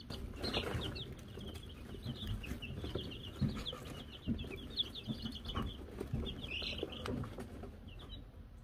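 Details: Baby Wyandotte chickens, Silver Laced, Gold Laced and Gold Laced Blue, on camera in May 2022 after receiving a bell: a long run of rapid, high, descending peeps from several chicks, with scratching and low noise underneath.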